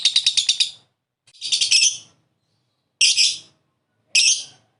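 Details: Lovebird calls as a lure for another lovebird's ngekek: a quick stuttered run of harsh chirps, then a longer rasping burst and two single scratchy squawks with silent pauses.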